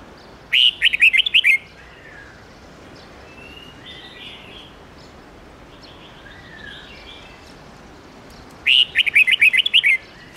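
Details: Old wild red-whiskered bulbul singing bright 10-12-13 note song for training young bulbuls. Two loud phrases of rapid whistled notes about eight seconds apart. Faint distant birdsong and steady outdoor hiss fill the gap between them.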